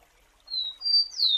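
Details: Rufous-collared sparrow (Zonotrichia capensis) song: clear, pure whistles, two level notes each a little higher than the last, then a bright slurred note falling away, over a quiet background.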